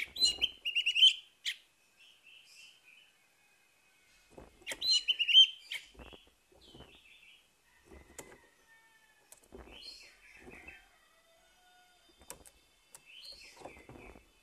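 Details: Orange-headed thrush song used as a morning lure to get a silent captive thrush singing: loud, rich phrases of varied whistles and trills about every four seconds, each trailing into softer, scratchy high notes.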